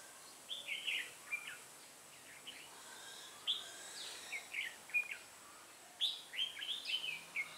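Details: Decoy red-whiskered bulbul singing to draw wild birds toward a trap, recorded 8 October 2017. Short liquid whistled phrases come in clusters separated by brief pauses, with the final phrases quickening into a run of chirps.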